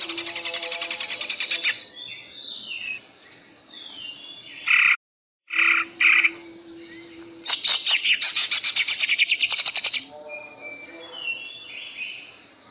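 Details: Greater green leafbird trained for song contests in ngentrok style: a fast high rattle, scattered whistled slurs, two brief harsh bursts, then a long rapid stuttering series of sharp notes, followed by varied softer twitters over a steady low hum.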